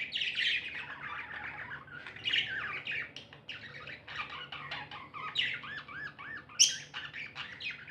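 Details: Chattering of happy pet budgerigars: a long, continuous stream of warbled, rising-and-falling chirps and squawky notes with brief gaps, plus one sharp high squeak near the end.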